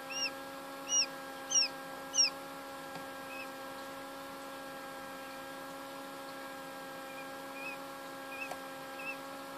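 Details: A hatching quail chick peeps: four loud, arched chirps about half a second apart, then softer scattered ones, over a steady electrical hum.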